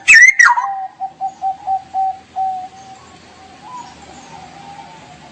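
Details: Straw-headed bulbul (cucak rowo) singing actively in the ngerople style: a loud bubbling, falling burst of notes, then a run of about seven short, even, mellow whistled notes at a steady low pitch, fading into quiet background.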